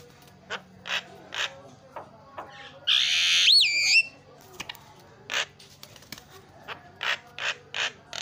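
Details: Javan myna singing on a training recording for other mynas: scattered dry clicks and ticks, then a loud, rasping buzzy burst of about one second that ends in a rising-falling whistle, followed by more sparse clicks.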